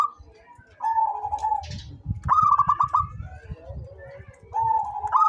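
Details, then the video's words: Zebra dove of a local strain, calling often: a sustained level coo, then a burst of about six quick stuttering coos, then another drawn-out coo, over steady low rumbling noise. "SUARA perkutut LOKAL gacor cocok buat pancingan rajin bunyi"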